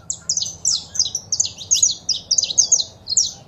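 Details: Female saffron finch calls with a male singing, intended to excite a caged finch into song: a dense run of bright, high, slurred chirps, almost continuous for three seconds.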